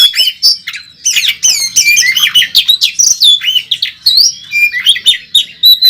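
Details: Oriental magpie-robin battling at a songbird competition, pouring out a loud, varied torrent of whistles, quick upslurred notes and scratchy bursts, phrases following each other with barely a gap.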